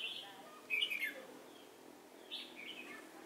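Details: A red-whiskered bulbul used as a decoy for trapping, Chùa Hương, 28 November 2017, gives one bright slurred warble followed by a softer, falling phrase.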